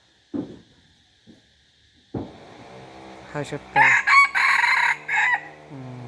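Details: Chicken crow rising after human speech: several loud, raspy, strongly harmonic bursts in quick succession, closing with a lower drawn-out note.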